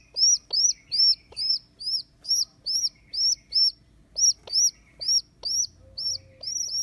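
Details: A baby rock pigeon being hand-reared after abandonment by its mother keeps up high, thin squeaks about twice a second, pausing briefly near the middle, fading slightly at the end over a low hum.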